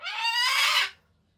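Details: A pet Solomons cockatoo calling for its owner out of affection: one loud, harsh, rising screech about a second long, then silence.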